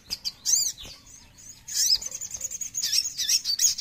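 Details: Oriental magpie-robin (sogon) song meant to make other sogon birds respond: bursts of high, sharp chirps and twittering phrases, with a brief pause before a denser, rapid run of bright notes.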